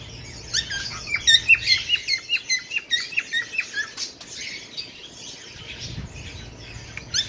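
Bengalese finch giving a quick run of high, squeaky chirps, about eight a second for two seconds, then softer scratchy chatter indoors.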